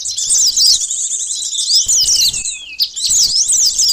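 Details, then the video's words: Sunbird lure song used for trapping birds in Indonesia: rapid, high, thin twittering with quick up-and-down sweeping notes in dense bursts, a brief pause around two and a half seconds, then more chattering phrases. "suara pikat burung konin sogon korlap kolibri madu || pancingan suara burung madu"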